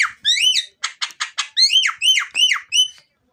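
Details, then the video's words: Loud Javan myna song meant as a lure for other singing birds: rising-and-falling squealing whistles alternating with short harsh grating notes in a quick, uneven rhythm, then silence. "suara jalak kebo part4, cocok untuk pancingan dijamin ampuh"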